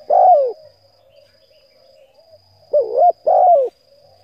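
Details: Spotted dove coo used to lure and stimulate decoy birds; a long falling coo opens, then after a quiet gap two short arched notes lead into another long, downward-sliding coo, with a faint constant high whine behind.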